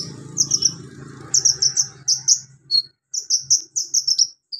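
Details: Javan magpie-robin in ngobra style, its song filled with mimicked golden grasshopper, lovebird, cricket and cililin sounds: rapid runs of high piercing chirps in groups of three to five, with low rumbling background early on.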